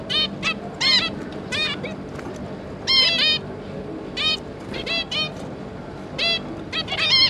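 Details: On 5 August 2022 two parent zebra finches and their three young produce paired and tripled nasal, tinny calls at uneven intervals, louder bursts near three and seven seconds.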